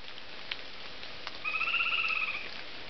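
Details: A Chestnut-naped Antpitta, one of a couple responding well to playback along a road in Rio Blanco reserve, Central Andes forest, Colombia, November 2009, gives a single steady, quavering whistled note lasting about a second, with faint ticks and soft background hiss.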